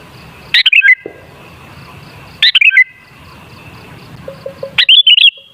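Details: Sooty-headed bulbul song used as a lure to make other bulbuls sing: short bubbly whistled phrases of three to four notes, sliding and warbling, repeated about every two seconds, with faint low background hum.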